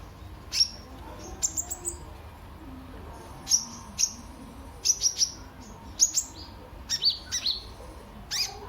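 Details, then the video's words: Sunbird (kolibri ninja) lure song to start other birds singing: very high, sharp, downslurred chips in quick clusters of two to four, separated by short pauses, over faint low background noise. "Burung KOLIBRI NINJA anda LANGSUNG GACOR pancingan dan masteran KOLIBRI NINJA GACOR"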